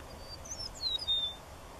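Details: Eastern meadowlark song fragment near La Sal del Rey, Texas, on 13 March 2016: a few thin, high, slurred whistles, the last drawn out and level, over a soft background hiss.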